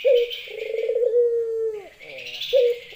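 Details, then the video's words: Local female Barbary dove calling to a male: a short low coo, then a long sustained purring coo that slides down at its end, followed by another brief coo after a pause. "puter betina memanggil jantan.lenjeh"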